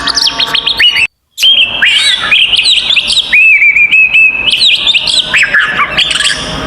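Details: Oriental magpie-robin fighting song to provoke other magpie-robins: rapid scratchy chirps, a brief break, then long level whistles mixed with quick notes, loud throughout.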